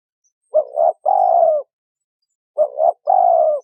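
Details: Spotted dove female calling to stimulate a male: two identical phrases of low, rough coos, a stuttered double note running into a long drawn-out coo, two seconds apart.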